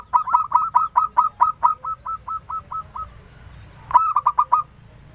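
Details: Local zebra dove singing with a clear voice, a lure bird meant to draw answering calls: a series of short cooing notes repeated about twice a second, fading toward the end, then a renewed quick burst.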